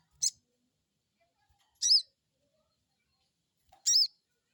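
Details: Crested jay 'crecet crecet' calling, played as a lure so a new bird responds quickly: three high, rasping bursts, the later two drawn out with down-curving harmonic bands, separated by almost two seconds of quiet.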